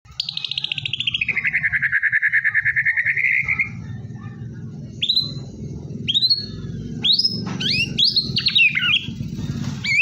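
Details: White-rumped shama singing to prompt a quiet shama to sing: a long trilled descending phrase sliding down then held, followed by sharp rising whistled notes and varied upswept phrases, over low steady humming noise.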